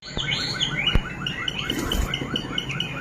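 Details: A Malinois Waterslager canary sings a series of quick downslurred whistled notes repeated several times a second. Scattered clicks and knocks sound behind the bird.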